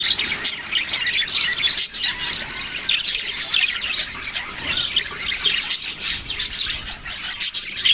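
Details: Budgerigars chirping in a dense, continuous chatter of many overlapping high, scratchy twitters and short warbled notes, with the busy mix rising and falling in loudness throughout.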